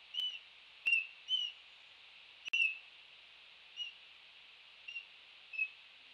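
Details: Laysan albatross chicks battling with beaks at a nest as one rushes in on the other; brief whistled peeps, several in the first second and a half then spaced further apart, over steady hiss with sharp clicks.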